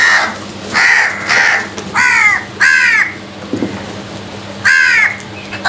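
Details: Crows fighting over food: a run of harsh, nasal caws, several loud downward-bending calls in quick irregular succession, with a brief clatter midway and low hum behind.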